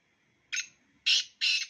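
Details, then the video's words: Black francolin call: one short harsh note followed by two loud, rasping, buzzy notes in quick succession, in a quiet setting. "Black francolin _beautiful sound of two birds"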